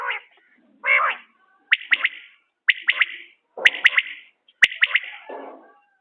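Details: Common quail sounding a run of sharp three-note whistled phrases, nearly one per second, after a couple of harsher lower notes, with a few sharp clicks in between.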